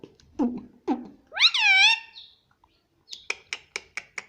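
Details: Pet Indian ringneck parrot chattering indoors and saying "mummy": two low, nasal syllables, then a loud, rising and wavering harmonic phrase, followed by a steady series of six short clicky chirps.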